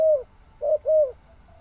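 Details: The tail of one coo, then a single short-long coo pair from a spotted dove, mellow and low, with quiet background.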